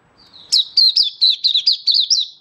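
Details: Oriental white-eye kept as a hobby bird, singing in open display on 24 February 2023: one rapid phrase of about nine bright, high, slurred chirps after a brief quiet start.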